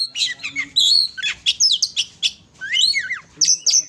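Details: Oriental magpie-robin (kacer) song: a rich jumble of loud whistled slurs, buzzy chatters and sharp rising and falling notes, delivered in quick bursts with brief pauses, high-pitched throughout.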